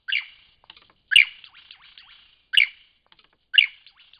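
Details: Lyrebird singing in Cape Liptrap Coastal Park: four strong, harsh downswept phrases about once a second, each trailed by quieter ticking and buzzy notes.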